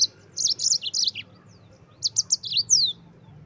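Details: Yellow-fronted canary song, gacor ngerol style used to tutor white-eyes: quick series of high warbled chirps, a short break, then another series ending in a downward whistle.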